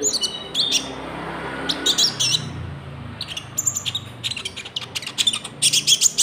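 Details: Golden-bellied gerygone (konin) song with cricket-like fill, used as a lure for trapping and for training caged birds: bursts of high, thin, sharp notes and short whistled phrases separated by brief pauses, with faint low background hum.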